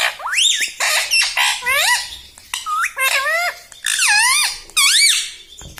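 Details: Talking pet parrot indoors, said to speak 'Mummy' and 'Mitthu' like a human: a steady run of about nine loud, raspy, voice-like syllables, each bending down then up, with short gaps between them.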